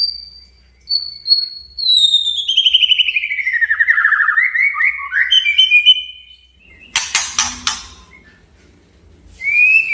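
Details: Male white-rumped shama singing to challenge a rival: long descending trilled whistle sliding from high to low, followed by sharp broadband clicks and a short rising whistle.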